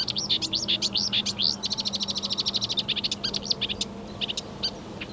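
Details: Marsh warbler (Acrocephalus palustris) song, 15 May 2020, a fast, varied stream of whistles, slurred notes and rapid chattering trills mimicking European and African birds, shifting phrases every second or so, with a low steady hum behind.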